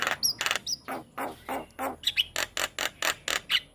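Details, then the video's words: Javan myna masteran song used as a lure for young jalak kebo: steady pulsed rasping notes, roughly four a second, harsh and broadband, with a few thin whistled squeaks mixed in. "Suara Burung Jalak Kebo Masteran Untuk Pancingan JAlak Kebo Muda"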